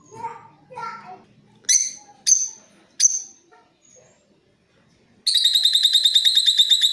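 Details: Creamino lovebird lure sound, ngeriwik and ngekek chattering meant for tutoring other birds: a few soft chirps and three sharp squawks, then a long buzzy rattling trill of rapid repeated notes.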